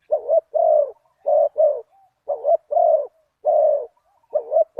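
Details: Spotted dove with a big voice in the one-kuk style, cooing while a target wild bird is pursued with a decoy. It delivers a run of mellow double and single hoots, closely spaced and repeated rhythmically. The surroundings are quiet.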